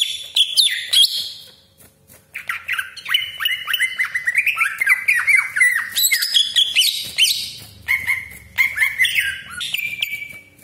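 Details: Greater green leafbird pouring out a long varied song with harsh 'besetan' and 'crecetan' rolls, used as a lure for other leafbirds: an opening high phrase, a short gap, then rapid choppy whistles and chatters rising and falling.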